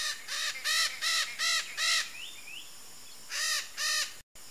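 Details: Wild red-shouldered macaw of Brazil's Pantanal calling in a rapid run of five raspy, nasal screeches, a pause, then two more, with a soft whistled bird note in the gap.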